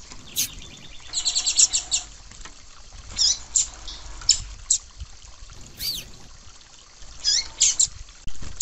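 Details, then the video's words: Female rusty-collared seedeater gives thin, high chirps in quick clusters, then single sharp notes every second or so, over a soft trickle of water; used to excite kept male seedeaters. "Piado de Fêmea de Papa capim Para Esquentar Papa capim"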